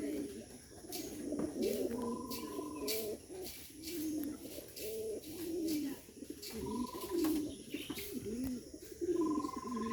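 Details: Domestic pigeons, including Bombay and Giribaz breeds kept as breeding pairs, coo in deep, throaty, rolling phrases, repeated one after another.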